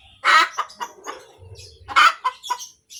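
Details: Laying hen cackling: two strong raspy notes about one and a half seconds apart, each followed by a run of softer clucks, over low background rumble.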